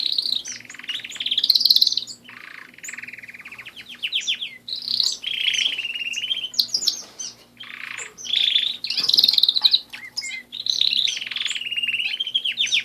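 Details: Canaries kept as pets singing loudly and continuously: long rapid trills, fast rolled tours and sharp rising chirps, phrases running back to back with brief gaps; faint low hum behind.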